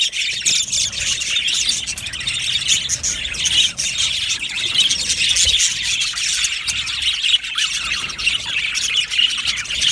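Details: Steady, high-pitched chorus from a colony of budgerigars kept in an aviary, many chirps, squeals and squawks layered into continuous busy chatter.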